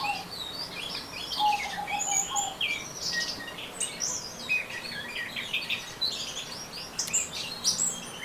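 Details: Orange-headed thrush singing ngeriwik, a continuous jumble of high twitters, buzzy slurs and squeaks, with a lower whistled note early on and faint insect-like hiss behind.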